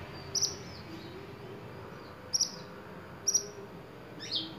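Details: A silver-eye gives short, high, thin chirps, singly or in quick pairs, about once a second, over a soft steady hiss, a tutor recording for songbirds such as magpie-robins and shrikes.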